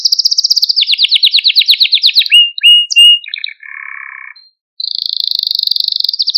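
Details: Malta canary singing, recorded to stimulate canaries and train young birds: a fast high trill slides down into rapid rolls, then clipped notes and a lower buzzy tour, a short pause, and a bright fast rattle at the end.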